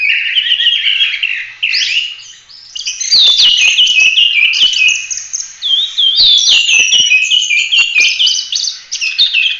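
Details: Energetic 'gacor' Oriental magpie-robin in full-roll 'tembak' song suited for training other birds, pouring out fast jumbled whistles and chattering trills with scattered loud clicks.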